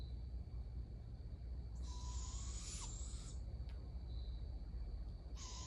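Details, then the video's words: Barred owl juveniles being fed by an adult give a harsh, breathy screech lasting over a second. Another begins near the end, with a faint thin whine and low rumble in the pauses. "Adult Barred Owl Feeding Young Juveniles with Screeching Sounds"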